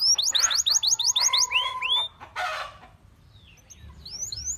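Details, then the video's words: Canary singing to tempt other canaries to sing: a rapid run of high repeated notes and rising slurs, then a brief harsh burst and a quieter stretch with faint high whistles. "Your Canary Calls And Tempts All The Canaries to Sing"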